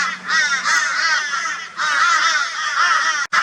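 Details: Harsh, drawn-out crow calls run together almost without gaps as crows torment a barn owl in Brisbane, Australia, in February 2022. Two brief dips break the calling.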